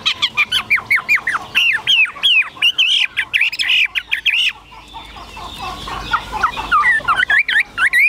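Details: Tame caged Chinese hwamei giving a long burst of rapid, slurred whistles, then a harsher, noisier stretch before the clear swooping notes return, with faint background rustling.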